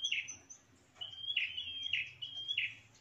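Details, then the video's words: Lure call of a prinia, used to attract rival birds: a level high whistle snapping into a short buzzy falling note, repeated in quick succession, with low background hum. "SUARA PIKAT PRENJAK TANPA ZONK"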